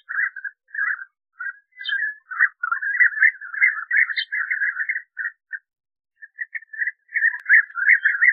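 European bee-eaters giving liquid, rolling prruip notes in a near-continuous chattering stream.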